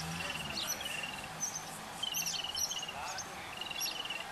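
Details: Yellow-billed babbler chicks beg with a busy run of high, squeaky chirps and wavering notes that overlap quickly as adults feed them, over a faint low hum.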